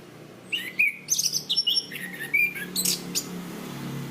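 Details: Anis kembang, or Chestnut-capped thrush, singing for use as a training recording for cage birds. After a quiet start, rapid high chirps, slurred whistles and buzzy notes tumble for two and a half seconds, then fade into low background hum.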